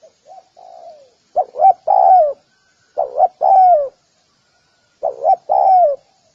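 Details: Spotted dove calling: soft low cooing phrases, two short notes then a longer drawn-out falling coo, repeated about every two seconds, with a faint quieter coo at the start; no other sounds.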